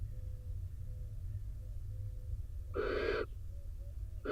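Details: Nest-box barn owls in Israel: a rain-soaked male enters to join the incubating female. After quiet low hum and faint tones, one raspy hissing screech of about half a second, then another beginning at the end.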